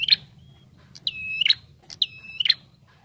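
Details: Bar-winged prinia used as a lure recording, calling persistently: clear whistled notes held level near mid-high pitch, each about half a second with sharp clicks at both ends, two full notes after a brief opening fragment, over a faint low hum.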